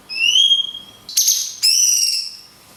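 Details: Cungkok singing "tembakan kunti panjang" with natural pauses, meant for training songbirds: a long rising whistle, a brief harsh rasping burst, then a bright sweeping whistle that tails off.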